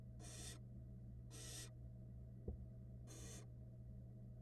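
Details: Female barn owl feeding her fluffy nestlings at a nest camera, chicks hatched February 2022; three loud, noisy snoring hisses about a third of a second long, a soft knock midway, steady background hum.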